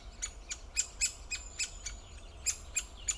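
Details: Great spotted woodpecker giving a rapid, uneven series of sharp, high, clicking 'kik' notes, about three to four per second, over a low background rumble.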